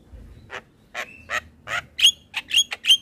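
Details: Javan myna master song meant to draw out young birds: spaced harsh, broad rasping notes, then brighter clipped whistles with sharp upward flicks, all in quick uneven rhythm.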